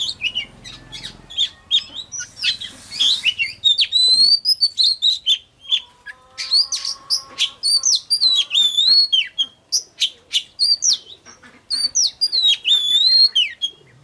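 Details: Oriental magpie-robin, a lure recording to excite singing and draw in wild birds; about fourteen seconds of nonstop varied song, fast chips and buzzy notes giving way to long clear wavering whistles.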